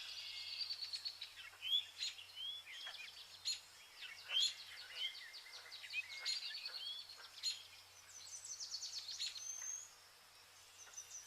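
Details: Vernal hanging parrots feeding on pearl millet in August, a busy stream of thin, high chirps and short rising notes, several overlapping birds calling throughout with brief louder squeaks, quieting near the end.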